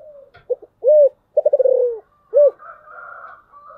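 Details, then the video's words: Spotted dove used as a lure, in the thổ sấm voice: stuttered low notes, a loud coo, a rapid rattling coo sliding down, then another loud coo, followed by fainter higher cooing. "Cu gáy Giọng thổ sấm/ Tiếng cu mồi thúc bổi"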